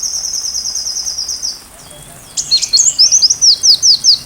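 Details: Sunbird song recorded as tutor material for a white-rumped shama: a long, thin, steady high whistle, a short pause, then a brisk run of sharp, rising, very high chirps repeated about twice per second.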